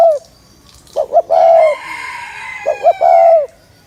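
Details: A spotted dove coos to rouse males, two phrases of two short notes and a long level coo, with a fainter drawn-out call filling the gap between them.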